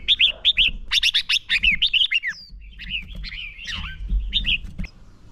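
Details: Red-whiskered bulbul decoy bird singing a contest-style fighting song used to lure and train other bulbuls: rapid bursts of bright, warbled whistled notes with sweeping slurs, clustered in quick runs, with a faint low rumble beneath.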